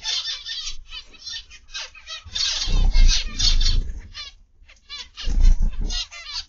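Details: Zebra finches in an aviary, 29 November 2021, afternoon: rapid overlapping nasal chirps and buzzes, with two stretches of low rumbling background noise.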